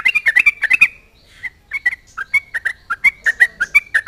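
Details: Prolific Sooty-headed bulbul taunting rival bulbuls into answering: a fast burst of chattering notes, a brief pause with a few isolated notes, then a steady string of short warbled notes resuming.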